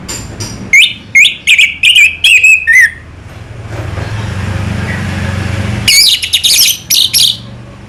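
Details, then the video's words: Orange-headed thrush (anis merah), Indonesia, delivers a series of loud, sharp whistled notes about twice a second, falls silent over a low engine-like rumble, then resumes with a dense, bright burst of high notes. "burung anis merah selow"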